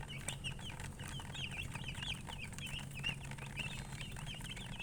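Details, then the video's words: Group of chirping colour chickens: bright high peeps with quick pitch bends, coming in irregular bursts and overlapping, over a steady low humming drone. "silly chicken chirping sounds"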